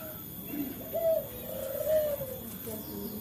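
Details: Male local dove heard as a training lure for captive birds: two drawn-out, gently wavering coos over a constant background hiss.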